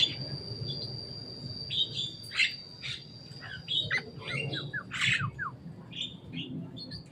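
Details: Javan myna that came to play on top of a cage, giving scattered short chirps and rising whistled notes in loose bursts, with a steady high electrical tone and low background rumble.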